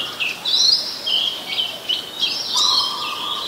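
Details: Oriental magpie-robin in Ubon Ratchathani, Thailand, 21 January 2021, captured on a Nikon P1000: clear high whistles sweeping up and then down, given in two short phrases, with a lower steady tone and background hiss.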